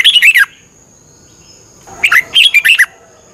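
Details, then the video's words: Training song of a caged red-whiskered bulbul in Thailand, played 30 minutes every morning for learning. A warbled phrase ends at the start, then after a pause comes a fuller phrase of quick, rich chattering notes, with a steady high whine behind. "นกกรงหัวจุก ฝึกหงอนเป็นเวลา 30 นาทีทุกเช้าเพื่อช่วยให้นกเรียนรู้ที่จะพูดได้อย่างรว"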